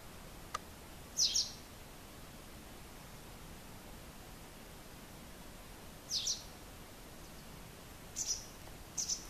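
A white wagtail gives high, sharp two-note chirps, a brisk 'chizzick', four times over nine seconds against a faint, steady outdoor hiss.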